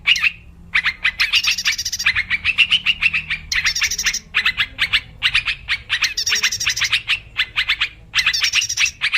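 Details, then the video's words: Lure recording of a wild yellow-vented bulbul for trapping, in dense phrases of rapid bright chirps with rasping upper tones, broken by short silences every two to three seconds, low hum in the background. "Suara pikat burung trucuk liar"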